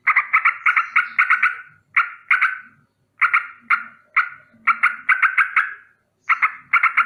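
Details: Sooty-headed bulbul's rolling alarm warning of danger, morning: buzzy scolding notes in rapid bursts of up to seven, each series fading out, with pauses of about half a second between them.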